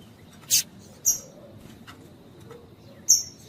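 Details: Female double-collared seedeater (piadeira) calling to stimulate a cold male tui tui coleiro: three isolated, very high, thin piping notes spaced about half a second to two seconds apart against a soft background hiss.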